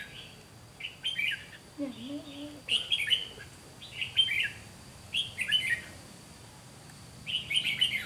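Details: Red-whiskered bulbul fighting song from a decoy bird during trapping: quick chirpy warbled phrases repeated about every second, with a faint low whistled note partway through and a constant high whine behind.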